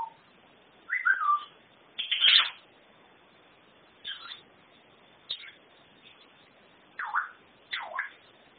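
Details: African grey parrot kept as a pet, imitating Norwegian speech and everyday noises: scattered short utterances with a falling whistled slur, then brief syllables spaced about a second apart over faint hiss.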